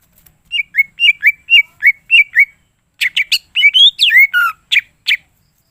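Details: Greater green leafbird, called cucak ijo, singing gacor with full isian: about seven evenly repeated falling whistles, then a varied, faster medley of chattering, rising and swooping notes.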